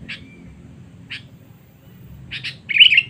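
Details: Sooty-headed bulbul calling as a lure to draw rival birds: brief buzzy chirps at spaced intervals, then a louder, harsher chattering burst at the end; faint low hum beneath.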